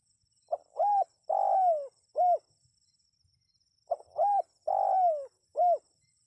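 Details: Spotted dove, calling to make wild birds respond, gives two soft mid-pitched phrases: a clipped pickup note, a rounded coo, a prolonged rolling coo that drops away, then one brief coo, with a pause of over a second between phrases.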